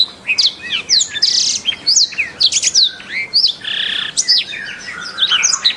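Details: Caged canary song serving as a tutor recording for training, meant for morning or afternoon sessions: bright, sharp chirps, rising and falling sweeps and short buzzy bursts, delivered in rapid, uneven sequences.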